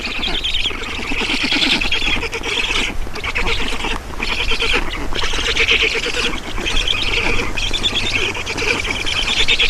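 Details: Estonian black stork nest at feeding time, 7 June 2019, 16:44. Strained, scratchy calls repeat in rapid overlapping bursts with short gaps, over a steady low hum.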